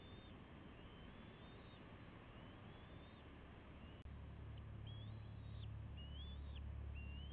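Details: Juvenile bald eagles with their parents at the West End Nest, late May, shortly before fledging: thin, high whistled notes that rise and slur upward, repeated in a loose series over a strong low rumbling background noise.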